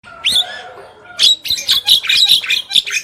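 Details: Javan myna pair, male and female, singing vigorously: a rising whistle and harsh chatter, then after a pause a dense run of loud, sharp, high notes repeated rapidly.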